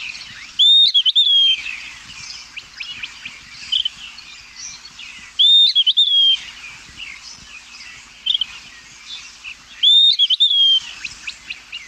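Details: Puerto Rican flycatcher (Myiarchus antillarum), endemic, San Juan Bay Estuary, Puerto Rico, giving one variation of its call: a clear, high whistle with a quick upward flick and slurred tail, repeated every four to five seconds, faint chirps behind.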